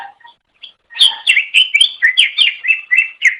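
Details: Chattering song of a Greater Green Leafbird on a master recording used to train songbirds: after a few soft opening notes, about a dozen rapid, rolling whistled notes follow in a steady, lively stream.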